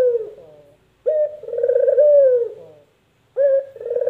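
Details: Spotted dove (puter) cooing, a short sharp opening note followed by a long, rolling, trilled coo that drops at the end, with the start of a further phrase closing the recording.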